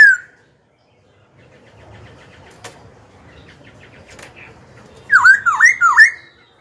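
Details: Black-throated laughingthrush song meant to rouse rival birds and coach young ones: a brief slurred whistle opens, a long near-silent gap with faint chatter follows, then three loud dipping whistles close the stretch.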